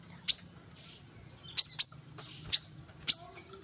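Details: Brown-throated sunbird (kolibri kelapa), recorded to stimulate lazy cage birds to sing: five sharp, very high chips spaced irregularly over a few seconds, with a faint low hum underneath.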